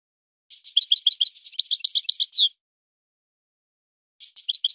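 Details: European goldfinch song in a particular breeder's style: a two-second run of sharp, high chirps that speeds into a twittering flourish, then after a pause a few more chirps.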